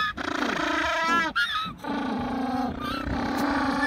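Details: African penguins braying in a mule-like call, a long harsh honking series with rasping, nasal notes that rise into wavering squeals, continuous and loud, with several birds overlapping.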